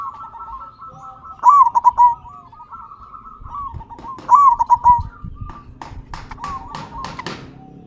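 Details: Local perkutut, or zebra dove, singing loudly as a lure to make captive doves sing; two strong rolling stuttered coo phrases about three seconds apart, softer doves cooing throughout and some clicking taps at the end.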